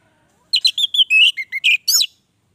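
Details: After half a second of silence, an orange-headed thrush gives one phrase of about ten clear whistled and slurred notes. The notes drop gradually in pitch, then end with a bright rising note.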